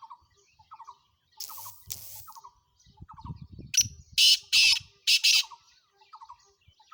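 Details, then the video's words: Black francolin from Sindh, Pakistan: a burst of loud rasping, scratchy notes in quick succession late in the recording, preceded by softer chirps of another bird and low thumping noise. "Kala Teeter"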